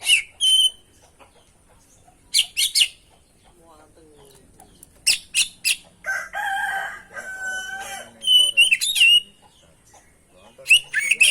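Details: Oriental magpie-robin (kacer) in energetic 'gacor' song full of mimicked fill-in phrases, used as a training and lure recording: sharp high bursts alternate with clear whistles, a warbled run of stacked tones midway, and quiet gaps between phrases.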